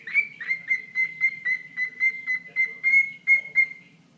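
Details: Pet bird calling to its owner's foot: a rapid series of short, clear, even-pitched chirps, about three or four each second, the first few slightly louder and sliding down.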